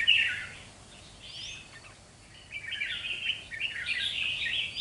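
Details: Red-whiskered bulbul, a young wild-caught bird of two months, singing in display: a sharp opening note, quieter slurred whistles, then a long, lively run of choppy warbled notes to the end, amid background hiss.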